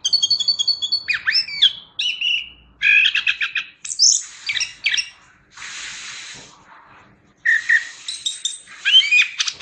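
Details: A chestnut-capped thrush, or anis kembang, sings in varied phrases for songbird training: a clear repeated whistle, swooping slurred notes, then a harsh hissing burst, a brief pause, and squeaky high twitters.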